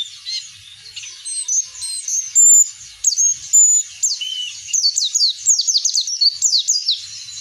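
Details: Oriental white-eye in ngeplong style, a sustained song meant to prompt other birds to sing: high, rapid twittering with sharp chirps and slurred whistles, building into dense bursts of quick repeated notes in the second half.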